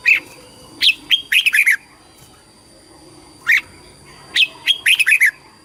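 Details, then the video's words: Red-whiskered bulbul singing in competition style, also used to call the flock and for voice training: short bright whistled phrases of rapid warbling notes, delivered in bursts with brief pauses, over quiet background. "TIẾNG CHIM CHÀO MÀO HÓT - HÓT ĐẤU - KÍCH BỔI - GỌI BẦY - LUYỆN GIỌNG"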